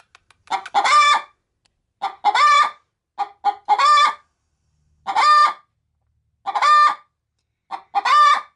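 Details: Hen kept as a pet, about to lay in a bag of chicken feed, cackles when approached: a steady series of six or seven loud squawks, each preceded by a short cluck, roughly one every 1.3 seconds.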